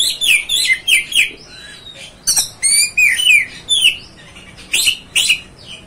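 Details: Rapid, varied song of an Oriental magpie-robin, played to excite a rival bird: high sweet whistles, rising and falling slurs and scratchy bursts, in quick bunched phrases with brief pauses.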